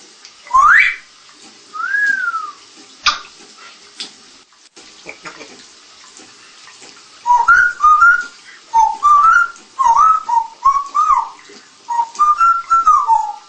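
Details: Pet African Congo grey parrot, a tame mature rescued female, whistles indoors. Two sharp upward sweeps and a short arched note are followed by a pause, then a rapid string of wavering, looping whistles. A steady household hiss runs underneath.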